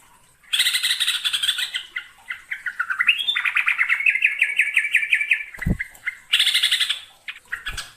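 Hook-billed bulbul giving a fast, chattering song of bright, varied notes in rapid runs, with a couple of brief low thumps.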